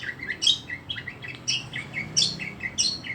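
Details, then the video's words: Long-tailed shrike in energetic song, giving a quick, varied run of high chirps, squeaks and short whistled slurs that jump between pitches with hardly a pause. "Burung pentet gacor full habis"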